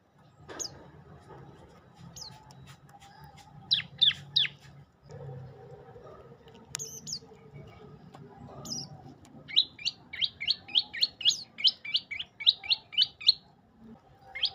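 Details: Olive-backed tailorbird with scattered high chips early on, building to a long steady series of about a dozen sharp, hooked notes toward the end. Light low background noise throughout.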